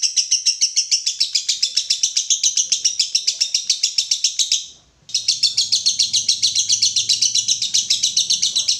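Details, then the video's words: Konslet-style lovebird song from a training recording: rapid, piercing chirps at roughly four per second, broken by a brief half-second pause before the chatter resumes, with a faint low hum underneath afterwards. "Masteran Lovebird Konslet"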